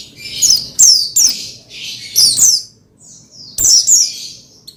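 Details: Oriental white-eye song meant to stimulate other white-eyes to sing: a lively run of high, sharp chirps and downslurred twitters in irregular clusters, with a brief quieter pause near the middle.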